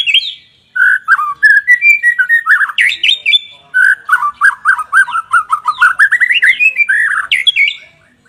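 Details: Caged white-rumped shama song used as a training and trigger recording for other shamas that are reluctant to sing: rich, loud phrases of rapid whistled and chattering notes, sliding and jumping between low and high tones, delivered in two long bursts.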